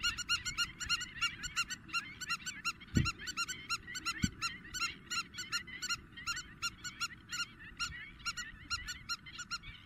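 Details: Intense calling of spur-winged lapwings, Greece, April: rapid, ringing, metallic notes repeated without pause, several callers overlapping, two brief low thumps near the start.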